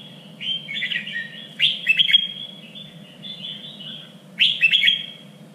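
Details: Contest-training song of a Red-whiskered bulbul in a standard three-region voice: bursts of rich, slurred whistles ending in sharp accented notes, two loud phrases about three seconds apart, with faint hum beneath.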